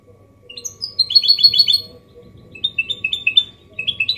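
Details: Goldfinch hybrid mule singing a clean song in the Malaga copy style, used to stimulate males to sing and to teach chicks; rapid bright twittering phrases in two bursts separated by a short pause.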